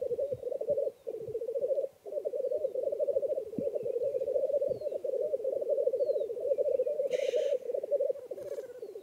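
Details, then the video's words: Black grouse at a spring lek on a mire in the Swedish woods in early morning: a continuous low, rolling, bubbling rookooing chorus broken by two short hissing sneezes. "Black Grouse Lek"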